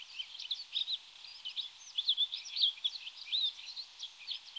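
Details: Rustic bunting (Emberiza rustica) call: a steady run of high, thin, twittering notes, many quick squeaky chirps packed together without pause, with no other sounds standing out.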